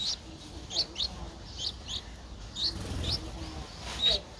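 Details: Streak-eared bulbul nestling, 11 days old, at Ubon Ratchathani, Thailand, on 13 April 2023: thin high squeaky notes, single and in quick pairs, with faint background murmur.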